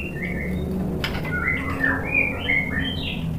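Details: White-rumped shama lure song meant to make another bird sing back: clear whistled phrases rising and falling over a loud, steady background hiss and rumble.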